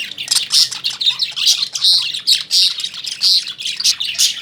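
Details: Home-caged lovebirds chirping in rapid, piercing bursts, roughly two or three per second. Each note is shrill and slightly rasping, and several birds chatter over one another.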